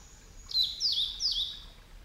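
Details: Male blue-and-white flycatcher, a summer visitor, at Yamada Ryokuchi, Kitakyushu, Fukuoka: three high, clear whistled phrases about half a second apart, each sliding downward, over a faint low background hum.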